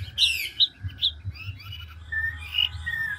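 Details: Chinese hwamei, a large old wild-caught bird singing in the 'ngũ trường' style with rapid, continuous voice switching ('đảo giọng'). Short whistled and slurred notes come in quick, varied bursts over a steady low hum, followed by a few longer level whistles.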